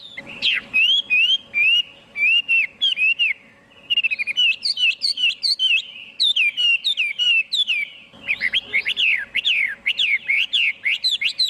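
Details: Song of a Chinese hwamei without interfering noise: repeated looping whistles in quick groups, a short lull, then an energetic burst of varied swooping and sharp notes.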